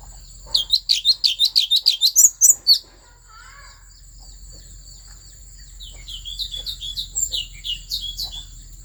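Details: Central Highlands forest bird, an Asian fairy-bluebird from Vietnam, singing to rouse other birds: a dense two-second string of piercing chirps, then a quieter, looser series of similar notes after a short gap, with a faint continuous whine.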